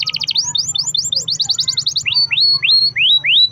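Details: Canary in full 'gacor' long-roll song, used as a lure to make other canaries sing: fast runs of repeated high rising-falling whistled notes, then slower, longer upslurred whistles, over a steady low hum.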